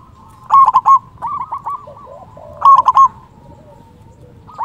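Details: Local zebra dove with a big voice, played to lure wild doves and raise breeding urge in quiet ones: two loud bursts of quick, bubbling coo notes about two seconds apart, softer doves cooing in between.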